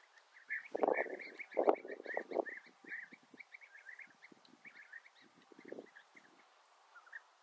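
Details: European bee-eaters calling together, a steady stream of short, rolling, liquid trilled notes overlapping from several birds, with louder low, rough bursts early on that fade toward the end.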